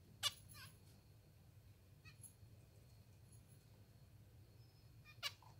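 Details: Hungry pet zebra finches being hand-fed give loud, harsh, rasping begging notes, one at the start and one near the end, with fainter squeaky calls between over a low hum.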